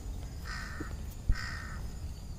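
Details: Two harsh, evenly spaced caws about a second apart from crows on top of trees in the evening before nightfall, with a quiet low rumble behind.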